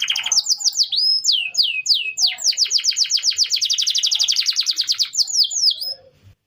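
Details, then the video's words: Canary song used as a training recording for other birds: rapid repeated rising and falling whistled notes, shifting into a fast even trill of sweeping chirps, all high-pitched, ending quietly. "Masteran burung kenari"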